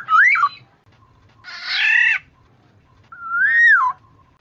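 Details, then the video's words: Black-naped oriole, also called kepodang emas or kepodang jawa, in a lure recording for trapping: two clear fluty whistles that rise and fall, with a harsh nasal grating call between them. "suara pikat dan masteran burung kepodang emas"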